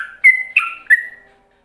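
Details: Ropelan-style song of a yellow-vented bulbul, used as a model for other bulbuls to imitate: three quick liquid whistled phrases with drawn-out level tails, fading into silence.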